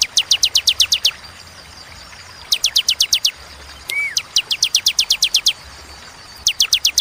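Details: Bar-winged prinia (ciblek) in the 'tembakan' song style, clear and spaced with pauses: rapid bursts of sharp, high, evenly repeated notes, about five to twelve per burst, separated by quiet gaps, plus one lower slurred note.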